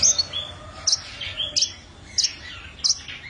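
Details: Long-tailed shrike in lively song: sharp, high, squeaky notes repeated about every two-thirds of a second, with softer slurred whistles between them.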